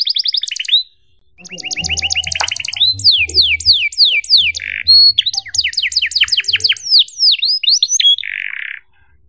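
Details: Canary song for teaching young canaries: fast trills and repeated downslurred notes with buzzy rattles, accompanied by faint low background sounds and clicks in the first half.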